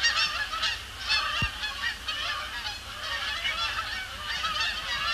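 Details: Canada Geese circling before landing on Sapsucker Woods Pond at the Cornell Lab of Ornithology, Thursday evening after sunset under heavy overcast; a dense chorus of overlapping nasal honks from many birds, steady throughout, with a low hum beneath.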